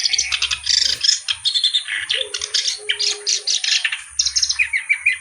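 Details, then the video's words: Kerak basi reed warbler pouring out a rapid stream of harsh, rasping chatter with rattling trills and short squeaky phrases, over a low buzzing drone and a constant high hum. "BURUNG KERAK BASI GACOR CENGKOK LAGUNYA OK"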